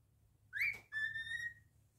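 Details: Pet cockatiel whistling a rising slurred note followed by a long, clear, slightly wavering held whistle, soft hum behind.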